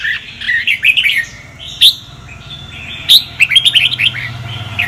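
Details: Sông Kon red-whiskered bulbul song for voice training. Twittering warbles are broken by sharp, loud high notes, followed by a rapid series of bright slurred whistles and a soft low hum in the background.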